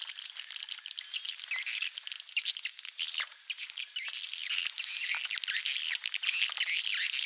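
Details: Swiftlet farming lure recording, Malaysian type: a continuous, dense chatter of high twittering and squeaky chirps from many birds, with no pauses.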